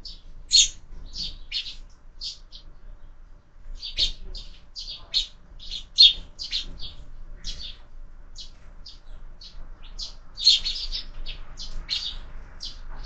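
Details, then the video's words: Sparrows at a window feeder at breakfast, fed year-round; irregular runs of sharp short chirps with brief pauses, several birds calling, background quiet. "Воробьи в кормушке - завтрак"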